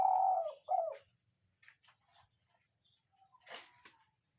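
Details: Spotted dove decoy cooing in gáy gù manner: the close of a phrase, a long buzzy low coo then a short falling coo, after which only soft taps and a brief rustle are heard.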